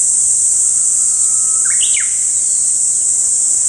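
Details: Oriental reed warbler call, one of a set of contact calls and rare calls: a thin, level whistle that leads into a short, sharp rising-then-falling double note, heard over a steady high-pitched insect drone.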